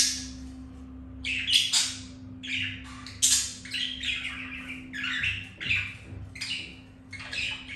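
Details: Budgies mating, a male mounting a female after being rejected by another hen; irregular scratchy chatter and squeaky notes, busy and uneven, with a constant low hum underneath.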